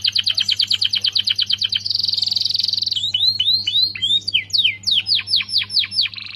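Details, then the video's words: Canary in full song, played to train White-rumped Shamas: a rapid high trill, a dense buzzing tour for about a second, then evenly spaced rising-and-falling whistled notes ending in a short buzz. "Full bongkar isian Kenari Gacor Untuk Pancingan dan Masteran Burung Murai Batu"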